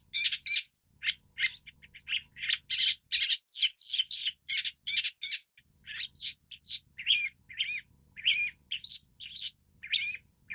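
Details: Long-tailed Shrike, Lanius schach, a varied run of short chirps, harsh notes and quick warbles packed closely for about ten seconds, some notes scratchy and broad, others clearer and higher, with only faint low background rumble.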